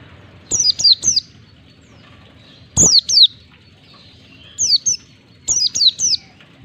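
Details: Caged white-eye giving high whistled song to spur other caged white-eyes into singing: quick groups of two or three steeply falling notes, separated by short pauses.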